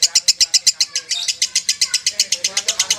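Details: A lovebird delivers its konslet song as about four piercing, high chirps per second in an even, rapid series, with one brief blurred note near the first second.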